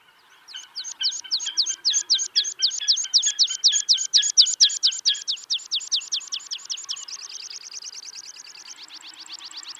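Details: White-tailed eagle chicks in Iceland, feeding on lumpfish, give a long run of thin, high, sharp notes, about four a second, which then speed up into a faster, buzzier chatter.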